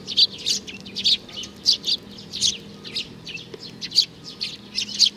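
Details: Young sparrow, a small fledgling, giving bright high chirps in quick bursts of two or three notes, about two bursts per second, with short pauses between; faint low hum underneath.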